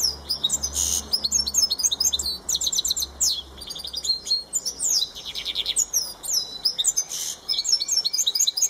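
A goldfinch mule sings a rapid, bright stream of twittering notes, trills and tinkling phrases without pause.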